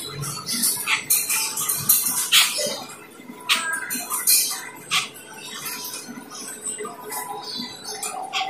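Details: Asian glossy starling in a lure recording used to call in the same species: scattered short, sharp, metallic chirps and squeaks, irregular and overlapping, over faint background noise.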